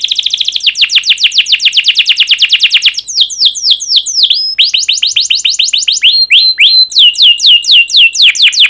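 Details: Canary pouring out long 'cuit cuit' song that prompts other canaries to answer: a rapid steady trill, then looser sequences of sharply descending and hooked chirps at varied pitches.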